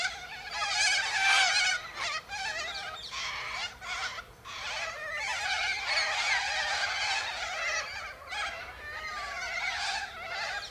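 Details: A flock of Sulphur-crested Cockatoos eating seeds from pods high in a Silky Oak tree give harsh, raspy, buzzing chatter in near-continuous bursts, with grating notes and short breaks every second or two; Sulphur-crested cockatoo.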